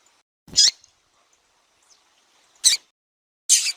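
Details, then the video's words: Calling female double-collared seedeater, kept by breeders to stir up unresponsive males, gives three abrupt, high, buzzy chip notes roughly one to three seconds apart, with a faint thump under the first note. "FÊMEA DE COLEIRO CHAMANDO MUITO QUENTE FOGOSA E PIANDO"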